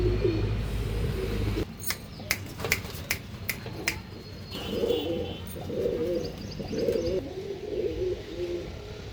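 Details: Andhra line pigeon giving low gurgling coos in a rapid run of pulses in the second half, after a loud low rumble and several sharp knocks; faint chirps from other birds above.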